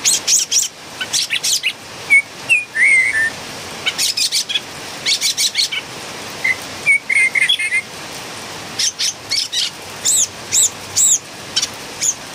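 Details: Noisy Philippine bulbul song with many rapid harsh chirps in clustered bursts, broken up by whistled slurred notes and a few high, sharp piping calls near the end.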